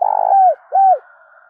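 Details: Spotted dove used as a decoy, its call ringing through the village to draw other doves in for trapping: a long hollow coo sliding down at the end, then a shorter arched coo.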